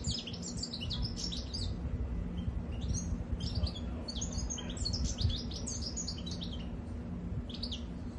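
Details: Goldfinch delivering a lively, jangling song of quick high twitters and trilled phrases in bursts, set against a constant low background hum.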